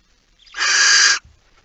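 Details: Barn owl (Tyto alba) at night, 15 September 2019, 23:43, carrying a mouse: one harsh, hissing screech lasting just over half a second, with only faint background rustle after it.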